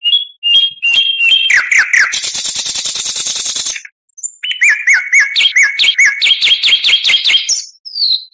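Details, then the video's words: Oriental magpie-robin (kacer) in a full-repertoire song session; clear whistled notes open into a long dry rattling trill, a short pause, then ringing repeated notes rising in pitch and quickening. "MASTERAN KACER .MATERI FULL"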